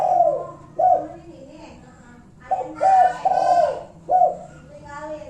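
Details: Kuk satu lure call of a spotted dove, aimed at provoking rivals: repeated low coos, short and long notes with a falling tail, partly overlapped midway by a brief harsher, broadband sound.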